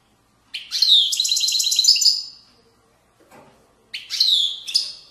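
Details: Widani-style song from a Moroccan goldfinch: a long phrase of rapid buzzy trills and bright twitters, brief quiet, then another tinkling high phrase.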